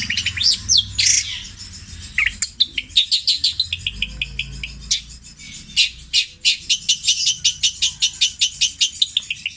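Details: Long-tailed shrike singing a mimicked medley in the petir style, copying tengkek buto, kuntilanak and sparrow sounds in long repeated runs: sweeping high whistles, then a rapid series of sharp clicking notes about every quarter second.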